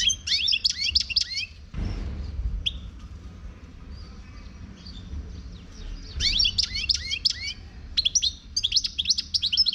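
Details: European goldfinch, wild in Morocco, sings fast twittering phrases of high chips and rippling slurs; a dull thump interrupts early, then the bird resumes with dense, lively bursts toward the end.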